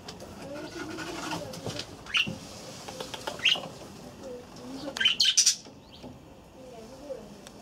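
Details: Budgerigars in an aviary: a few short, sharp chirps spaced over several seconds, the last ones bunched into a quick cluster, over a soft murmur of low, wavering background sounds.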